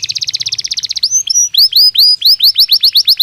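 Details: Belgian canary singing as a warm-up stimulus for training: opens with a fast, even, rattling trill lasting about a second, then shifts to a run of bright, descending whistled notes repeated several times per second.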